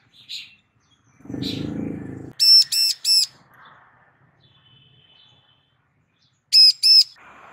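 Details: Female Bar-winged prinia calling for a male's answer: a triple of loud buzzy notes, then a later pair. A brief rustling noise comes before, with faint chirps between.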